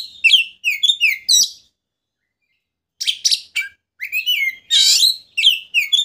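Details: Oriental magpie-robin song meant to work up a rival until it opens its tail: quick repeated downslurred whistles, a short silence, then loud chattering and buzzy phrases.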